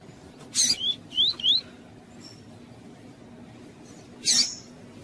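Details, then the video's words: Double-collared seedeater (coleiro tuí-tuí, Sporophila caerulescens) with a calling female, played to stimulate other males: high, thin calls, a sharp burst, three quick upslurred whistles, then another sharp note, over faint hiss. "COLEIRO TUÍ-TUÍ COM FÊMEA CHAMANDO"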